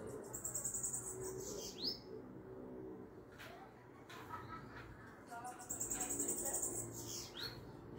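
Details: Sibito (Brazilian name for a small finch) song played to stimulate other sibitos: very high thin trills of rapid repeated notes, twice, each closing with a sharp rising-falling whistle, over steady low background hum.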